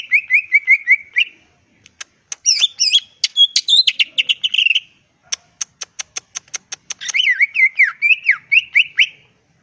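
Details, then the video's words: Green leafbird kept as a cage bird, singing a varied song: a quick run of buzzy notes, twisting whistled phrases, a burst of sharp ticking clicks, then more rapid chattering notes. "Burung Cucak Ijo Gacor Ngentrok"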